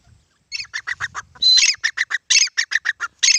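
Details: ['Grey francolin giving a fast rhythmic series of harsh, clipped notes, about a dozen in three seconds, with a louder whistled note in the middle.']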